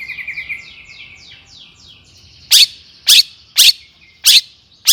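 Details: Excited long-tailed shrike singing to provoke rival shrikes: a run of quick descending whistled chirps, then loud harsh grating bursts repeated about every half second against a steady high whistle.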